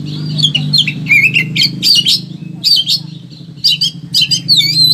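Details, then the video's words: High-emotion Oriental magpie-robin (kacer) rattling through its repertoire for training or coaxing other birds: fast jumbled whistles, chips and scratchy notes in near-continuous phrases, with a constant low hum behind. "KACER EMOSI TINGGI BONGKAR SEGUDANG MATERI"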